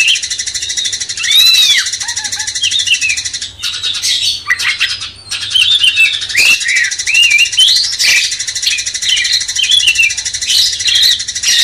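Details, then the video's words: Cucak cungkok bulbul in a training recording for magpie-robins: a looping whistled phrase, then quick rising and falling chirps, with a steady shrill buzzing underneath. "Masteran cucak cungkok bangkitkan emosi kacer"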